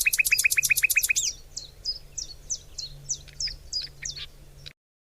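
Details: Bird singing: a rapid trill of about ten evenly spaced high notes, then a run of sharp down-slurred chirps, each about every half second, stopping abruptly; a faint low hum underneath.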